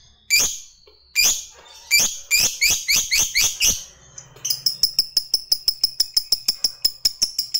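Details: Lovebird of the fighter type, a call used to provoke other birds: harsh high chirps spaced about a second apart, speeding into a long rapid chattering run of sharp clicks near the end.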